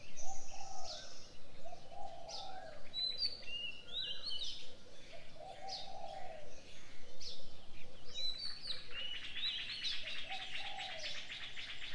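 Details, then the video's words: Morning birdsong with several birds: whistled phrases and rapid trills high up, plus repeated low cooing notes, over steady background noise. "Birds sounds on the morning 清晨鳥鳴"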